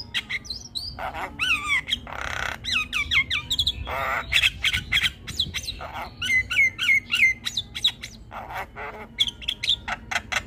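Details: Javan myna chattering without pause in 'gacor' form, pouring out rapid clicks, harsh rasping blocks and quick twisting whistles in a dense, energetic stream.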